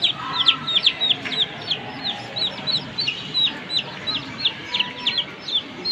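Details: One-month-old chicks, a Comet hen's brood of three, making sweet noises while playing: rapid overlapping high peeps, each sliding downward, nearly three per second throughout.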